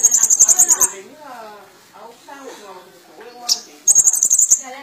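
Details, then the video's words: Van Hasselt's sunbird in full song with mimicry, giving short rapid high trills at the start and end, separated by softer lower warbling notes. "Burung Kolibri Ninja Gacor Full Isian"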